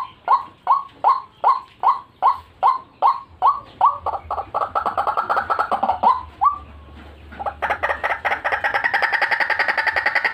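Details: White-breasted waterhen recording used as a lure for trapping birds: a run of loud, evenly repeated hoarse notes, about two or three per second, swelling into a dense, harsh, overlapping croaking chorus near the end.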